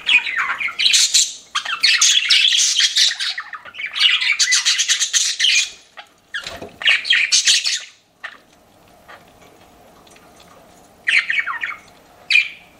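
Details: Pet budgerigars chatter in bursts of scratchy warbling for about six seconds, then fall mostly quiet over a low background hum, with two short chirping outbursts near the end.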